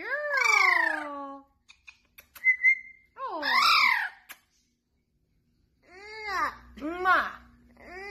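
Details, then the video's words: Blue-fronted amazon parrot chatting with its trainer indoors: loud, nasal, rising-and-falling speech-like phrases, a short whistle, clicks and pauses, then more warbled talking near the end. "Polly the Parrot Talking"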